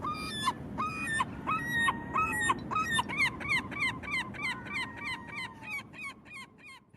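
A herring gull gives a rapid series of harsh, nasal yelping notes that speed up to about three per second, over a low rumble of wind or surf.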